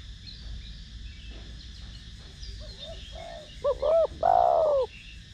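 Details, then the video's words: Spotted dove in the 'thổ đồng' song style, kept to excite and train decoy birds. A few soft, low murmured notes build into a clear phrase of two quick coos and one drawn-out, falling coo. "Cu gáy Gù,Thúc giọng THỔ ĐỒNG kích mồi tập bổi rất hiệu quả/Cu gáy Giọng Thổ Đồng kích bổi nhanh gáy"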